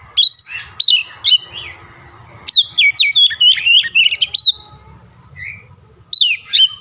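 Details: Oriental magpie-robin in vigorous song laden with Javan myna (jalak kebo) mimicry. Loud whistled notes open the phrase, then a lull, then a quick tumbling run of sharp chirps and slurs, a brief buzzy note and a final whistled pair.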